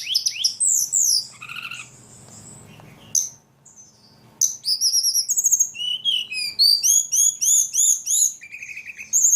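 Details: Ledekan bird in lively song: descending whistled slurs, a quiet gap, then a fast run of rising and falling chirps repeated about three times a second.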